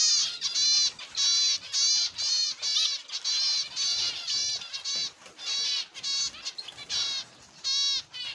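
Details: Aviary flock of zebra finches giving loud, nasal, beep-like calls in short bursts, roughly two each second, with softer twittering from other birds filling the gaps.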